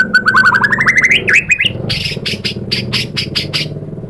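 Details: White-rumped shama, stirred into answering and revealing its mimicry: a fast rising rattle of buzzy notes, a few twisting slurs, then a regular series of harsh broad rasping notes about twice a second over low background hum.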